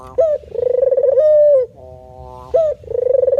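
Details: Male spotted dove in gacor manggung cooing: a quick upward note, then a pulsing coo that settles into a clear, level tone, with the same pattern starting again after a short break.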